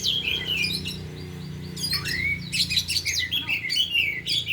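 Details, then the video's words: Four oriental magpie-robins at afternoon practice, singing through their repertoire: a falling whistle, then a low swooping note rising sharply, followed by busy overlapping chirps and warbled trills. "Latihan Kacer di Sore Hari Biarpun Hanya Burung 4 Tapi Jalan Semua dan Bongkar Isian"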